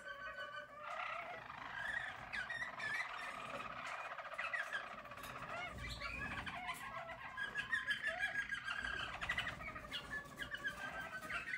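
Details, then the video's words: Yellow Harz German Roller canary singing in 2022, a soft, continuous warbling song of rolling, trilled phrases that rise and fall without pause, with low background hum throughout. "Harz German Roller Canary singing"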